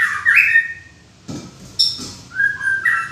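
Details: White-rumped shama with a loud whistled phrase, a brief thump, sharp high chips, then drawn-out whistled notes.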